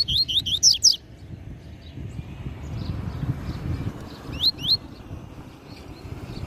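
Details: Tui Tui Zel Zel song of a master double-collared seedeater used to tutor young birds: a fast cluster of bright upslurred whistles, a gap with low background noise, then two more rising notes.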